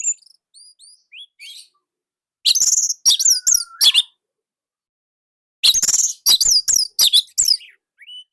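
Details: Orange-headed thrush from Indonesia with a unique, tight and loud tutor song. Faint rising whistles open, then two loud, clipped bursts of piercing high chirps and slurs, separated by two seconds of silence.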